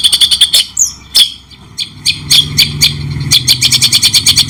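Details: White-rumped shama in a training recording for songbirds, delivered clearly with pauses: rapid bursts of sharp, buzzy high chips, a brief descending whistle, then a quieter stretch before fast repeated chattering notes resume, with a faint low hum underneath.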